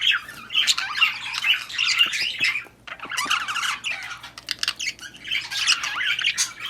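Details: Budgerigars mating and breeding produce a continuous high warbling chatter of squeaky, scratchy notes, in three long bouts separated by brief dips, with a low background hum.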